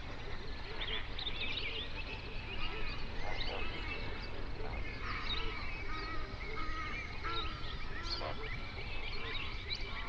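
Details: A flamingo flock on a national park lake in the Overberg, South Africa, captured in binaural sound at sunrise. Many overlapping honking and gabbling calls form a busy, unbroken wall of sound over low background rumble.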